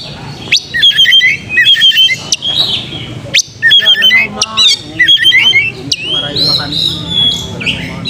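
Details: Lure song of an oriental magpie-robin, meant to rouse fighting mood and tail-spreading: rapid bursts of clipped whistles and rattling trills, sharp rising notes between them, ending in a longer sweeping whistled phrase.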